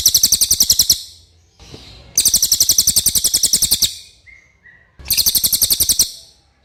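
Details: Common iora singing a clear song meant for tutoring other cage birds: fast, high, rattling trills in bursts of one to two seconds with brief gaps, a faint short whistle in one pause.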